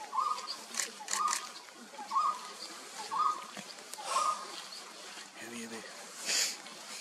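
A golden-throated barbet gives a steady run of short, hollow mid-pitched notes, about one per second, over a hissy natural background with a brief low sound near the end.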